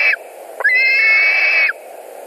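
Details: White-tailed eagles at a nest in Latvia on 2 August 2020, screaming during a carp delivery and fights over the fish: a long, loud, flat, whistled scream held over a second, with short rising notes before it.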